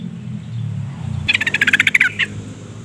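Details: Female sooty-headed bulbul calling to stir a male: one quick rattling run of about ten harsh, buzzy pulses followed by a short final note, over low rumbling background noise.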